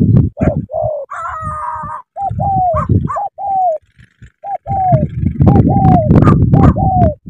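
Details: Spotted dove, Cà Mau, Vietnam, delivering quick repeated coo phrases, short note then a falling hoot, while a higher, thinner bird call briefly sounds near the start; low knocks and thumps throughout.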